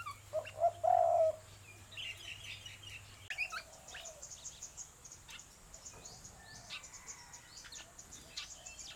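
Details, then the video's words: Malayan peacock-pheasants in mating time at a breeding center in Chiang Mai; one gives a couple of loud, low hooting notes early on over a steady hum and scattered high chirps from smaller birds. "Mating time of the Malayan Peacock Pheasants"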